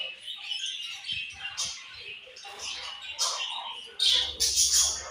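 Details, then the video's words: Budgies give a lively run of scratchy, high chirps and squeaky notes, some louder calls standing out near the end over a faint low hum. "Very Beautiful Budgies Chirping Sounds"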